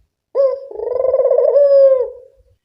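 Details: Single lure-call coo of a local collared dove: a short clipped note, a brief gap, then a long purring tone that rises slightly and trails off softly, quiet before and after.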